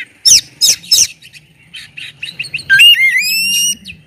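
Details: Oriental magpie-robin singing loudly to get other magpie-robins singing; three harsh rasping bursts open, followed by soft chattering and a long rising then level pure whistle.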